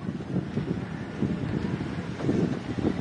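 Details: Gusty wind rumbles across the microphone with low vehicle engine noise, and no animal voice can be heard.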